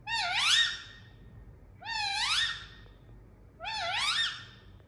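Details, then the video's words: Rose-ringed parakeet, kept as a pet indoors, giving three loud harsh rising screeches spaced about two seconds apart, each with a strongly upslurred harmonic-rich sweep, over a quiet room background. "Indian Parrot Making Sound"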